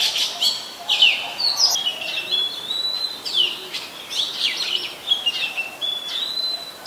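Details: Oriental magpie-robin, a very common resident, singing in Ubon Ratchathani, Thailand, on 24 December 2020, recorded with a Nikon P1000: a continuous, richly varied stream of sharp whistles, trills and quick slurred notes.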